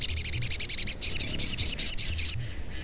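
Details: Sogon giving a fast, high, rattling trill that stops abruptly, described as its 'cuit cuit' call and used as a lure to make other sogon sing and get agitated; faint low rumble behind.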